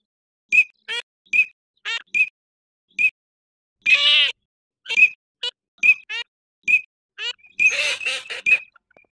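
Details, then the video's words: Eurasian teal: a quick series of short, piping, high whistles, some sliding downward, broken by two longer rasping nasal calls, repeated at an uneven pace of roughly one per second. "صوت الحذف الشتوي [زويق] || Eurasian Teal Sound"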